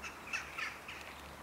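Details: A red crossbill at Náchod Castle, Czech Republic, on 27 December 2015 gives three short, hard, slightly harsh call notes roughly a quarter-second apart, over a quiet outdoor background.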